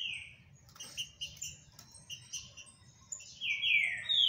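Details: Green-winged saltator song, called trinca-ferro and described as very strong-voiced, with scattered thin high notes and then loud clear slurred whistles descending near the end.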